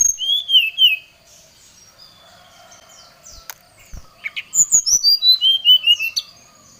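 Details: Brown-chested jungle flycatcher in excited, agitated song, calling out a rival: a pure whistled phrase wavering downward, a long pause with faint background, then a run of bright descending whistled notes in quick succession.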